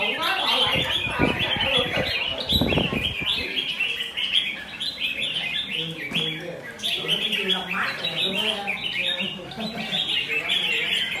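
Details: Caged red-whiskered bulbul, freshly caught from the wild with its forest feathers, in a combative mood; a long stream of lively, tumbling chirps and short warbles, broken early by knocking sounds and faint talking.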